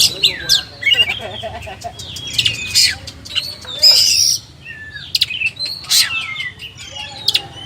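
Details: Oriental magpie-robin (kacer), a black long-tailed bird, singing a varied run of sharp whistles, rising and falling slurred notes and harsh buzzy bursts, with rapid chirps between phrases and brief pauses.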